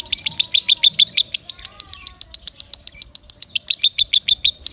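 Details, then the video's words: Strong lovebird song used to train other birds, made of sharp, high, metallic chips in rapid regular succession, about three or four each second, with a faint low whistle in the background. "Suara Kencang Lovebird Sukron | Untuk Pemasteran"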